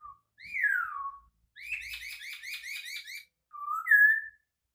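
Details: Poksay Hongkong, the white-crested laughingthrush, in a distinctive song: a long falling whistle, a burst of fast repeated chirps, then a rising two-part whistle.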